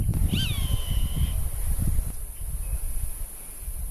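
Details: Territory-defending roadside hawk, recorded with a Samsung NX1000 camera, gives one piercing scream near the start. The scream is slurred, dips, and then stretches into a thinner level note. Heavy wind buffeting fills the rest of the recording.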